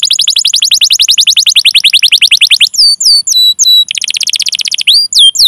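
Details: Canary song used as a lure to draw other canaries into singing: long, fast trills of downward-sweeping chirps, then drawn-out whistled notes that bend downward, ending in another rapid trill.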